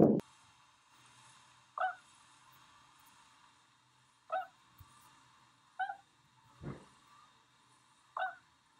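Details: Tundra swans near Rosedale and Munson, Drumheller, Alberta, Canada: single high, nasal honking calls, each a brief harmonic note, spaced about two seconds apart over a quiet background with faint low rumble.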